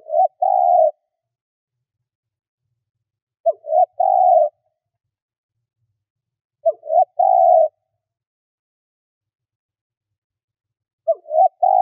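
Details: Spotted dove used as a decoy to attract wild birds, cooing in phrases every three to four seconds: a brief clipped note, a quick slurred note, then a long steady coo. Silence fills the gaps.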